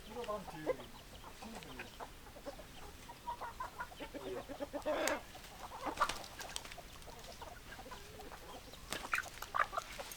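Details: A flock of hens clucking, many short clucks at varied pitch, with a loud harsh burst near the middle and more squawks toward the end.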